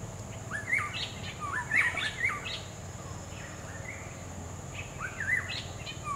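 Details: Black-hooded oriole in natural habitat giving rich, slurred whistles in a short burst near the start and again near the end, over steady insect buzz and low background noise.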